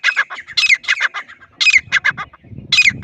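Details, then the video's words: Loud grey francolin calls in short bursts of harsh, ringing notes, each phrase starting with a sharp high squeal and tumbling down, with a low rustle or rumble underneath. "Most Powerful Voice of Grey Partridge | Francolin High Quality Sounds | Teetar Loud Awaz"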